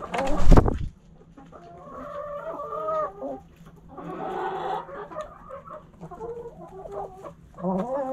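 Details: Backyard hens and roosters: a loud thump at the start, then rich harmonic clucking and a longer, raspier drawn-out call midway, followed by more clucks.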